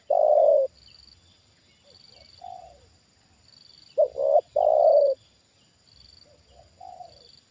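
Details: Decoy spotted dove reacting to a wild bird drawn down a second time; a long loud coo, softer distant coos, then a double coo and long coo phrase, with more faint coos after and a steady high hum.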